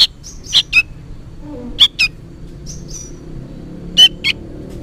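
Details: Young sooty-headed bulbul, noisy as though calling its parent, gives scattered high chirps in pairs with brief gaps between, plus soft lower chatter in the background.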